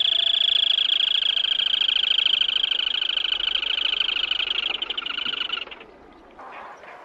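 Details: Black-tailed crake giving a long, fast, even trill of rapid notes for over five seconds, then stopping, with faint background noise afterwards.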